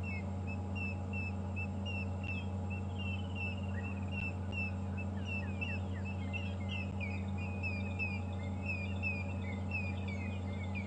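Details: At sunrise on a 4 February 2015 safari drive, a party of helmetshrikes calls with quick, overlapping short whistles and rising chirps, over the low, constant rumble of an idling vehicle engine.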